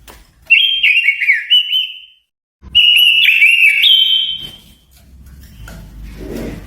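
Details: Lure song of a Japanese white-eye for provoking wild birds: two sustained phrases of high, rapid twittering whistles with slurred up-and-down notes, then quiet rustling at the end.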